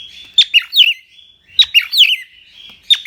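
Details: Singing cockatiel, a pet bird from Indonesia: sharp clicks open short phrases of bending, trilled whistles, and each phrase repeats after about a second.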